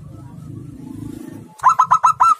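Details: Local male zebra dove courting a female, an aggressive caller used to stir other doves: after a low rumbling murmur, five loud, sharp cooing notes ring out in quick even succession.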